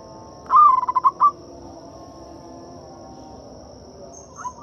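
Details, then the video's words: Local zebra dove used as a lure to prompt silent, hard-to-sing doves to call: one short burst of rapid, throaty cooing notes tumbling down, then quiet with a steady high electronic whine. "Suara PIKAT dan PANCINGAN perkutut lokal gacor untuk atasi perkutut bisu dan susah bunyi."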